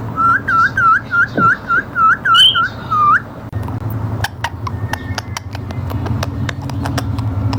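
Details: Indian ringneck parrot in a small room giving a string of about ten rising whistled notes, fairly evenly spaced, then one higher note, followed by a series of sharp clicks and a low background hum.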